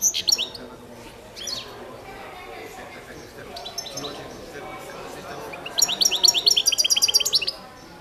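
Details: Balkan goldfinch, Carduelis carduelis balcanica, in a song competition recording: scattered faint twitters early, then a loud rapid series of repeated high chirping notes in the final seconds.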